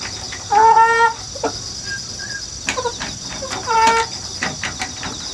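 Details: Rooster hatched indoors at home and raised in the countryside, recorded 1 September 2019 with a GoPro and wireless microphone on a ladder. Two loud, harmonic-rich crowing bursts about three seconds apart. Faint chirps and a steady insect hum fill the gap.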